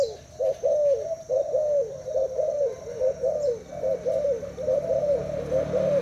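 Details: Caged Thai spotted dove, two days in its cage, cooing in a contest against a decoy bird: soft low coos repeated steadily about once a second, each note rising then falling, with a faint hum beneath.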